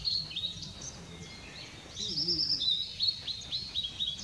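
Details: Blue-and-white flycatcher song, recorded 6 May 2016: thin high whistles, then a quick rattled phrase and a run of short descending notes. A soft low warble sounds faintly behind it.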